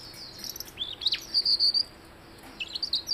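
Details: Blue-headed rock thrush song: a rapid run of high chirps and slurred whistles, then a sustained thin high note, followed by a brief pause and further twittering.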